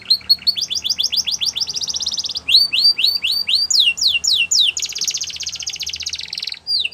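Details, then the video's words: Canary song used to get other canaries singing: rapid repeated chirps building into a fast trill, then rising curved syllables and steep downsweeps, finishing with a long dense buzzy trill. "All The Canaries Will Sing Along After Hearing This Canary Chirp"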